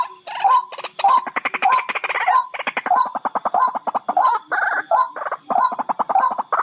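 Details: Barred rail (tikling) in a fast, rattling chatter of clipped notes packed several per second, broken by brief pauses and a few drawn-out buzzy bursts; steady high-pitched hiss underneath.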